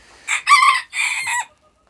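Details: Ornamental rooster in a partitioned breeding coop, crowing: a short harsh crow in two loud segments, the first rising and held, the second ending with a falling tail, about one and a half seconds in all.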